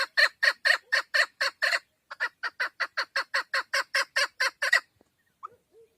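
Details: Harsh repeated chucks from a female Chukar partridge kept for hunting, with a brief break after two seconds. The run resumes and ends near five seconds, followed by a couple of soft, low notes.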